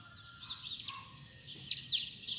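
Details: Bananaquit singing in the 'trica ferro' style with its 'pitxiu pitxiu' phrase: a quick run of very high, thin notes that builds into sharp descending slurred whistles, then fades, over a faint low rumble.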